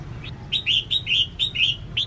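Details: Female red-whiskered bulbul call used to stimulate singing males: about six clear, slurred whistled notes, evenly spaced around every quarter second, over faint low hum.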